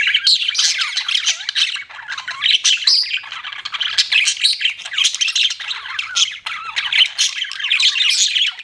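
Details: Budgerigar chattering nonstop, a dense, loud warble of squawks, chirps and rapid twittering notes with no real pauses, clear against a quiet background.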